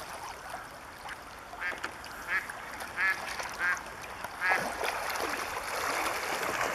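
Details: Bewick's swans recorded in February 2014 at České Budějovice, Czech Republic: a string of short, nasal, honking yelps with a buzzy tone, several loud calls spaced about a second apart over a steady background hiss.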